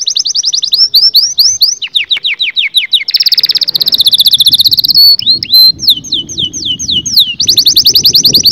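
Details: Canary singing for mating stimulation of males and females. Dense fast rolls and chains of sliding whistles alternate, with a long buzzy ringing tour in the middle and quick chirp series after.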